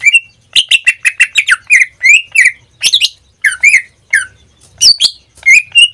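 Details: Singing pet greater green leafbird: a fast burst of clipped repeated chirps, then rich slurred whistles and scratchy squawk-like notes, loud and close.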